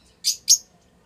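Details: Lutino Fischer's lovebirds, a strongly bonded adult pair, mating in their house; two quick shrill, scratchy high chirps in close succession, then silence in a quiet indoor setting.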